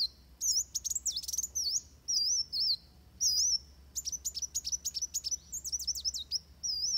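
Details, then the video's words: Van Hasselt's sunbirds fighting give very high, thin, wavering notes and sharp chips in quick bursts, some phrases running into fast twitters, over a faint low hum. "Suara Kolibri Wulung Tarung"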